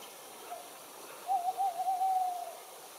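A tawny owl gives a short soft note, then a long, hollow, quavering hoot that wavers for over a second. Only faint background hiss otherwise.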